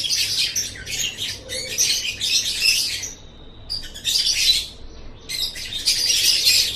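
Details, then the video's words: Lovebird song for tutoring pet birds: three runs of harsh squeaky chattering separated by brief pauses, the middle run shorter, with a thin whistled note fading between them. "Masteran Suara Burung Love Bird"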